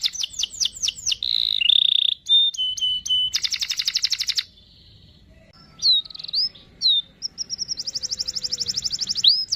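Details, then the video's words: Singing canary used to teach a young canary its song: quick downward-sweeping whistles, a brief steady whistled note, fast buzzy rolls, and short warbled phrases separated by brief pauses, clear and close. "Kenari Gacor cuit cuit Ngerol Panjang ampuh untuk pancingan kenari Paud belajar Bunyi"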